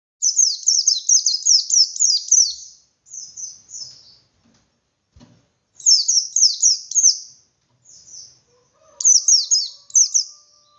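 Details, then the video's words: White-eye of the bustomi type, singing hard in ngalas style with beak wide open, used to provoke other white-eyes into fighting. High, thin chirps fall in pitch in fast bursts of six to eight, separated by pauses, with a faint low hum near the end. "Burung Pleci Gacor Pendongkrak Emosi Pleci Lain"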